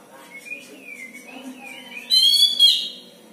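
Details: Pet Oriental magpie-robin in a home, with a soft wavering whistled warble rising and falling, then a loud nasal, buzzy, harmonic-rich double note near the end.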